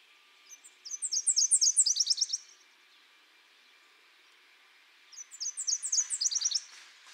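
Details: A Nashville Warbler sings its loud two-part song twice: high, sweet two-note phrases repeated rapidly, then a quicker closing trill. A faint steady hum runs underneath.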